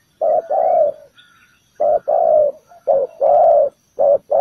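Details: Spotted dove used as a ground lure at a bird trap, calling in loud, low coos: a long two-note phrase, a pause, then a faster run of short and drawn-out coos.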